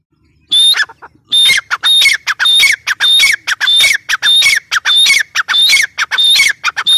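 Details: Grey francolin calling loudly after a brief silence: harsh, squawky notes, each with a piercing whistled tone, repeated in a rapid, steady series of about one and a half calls per second with no other sounds.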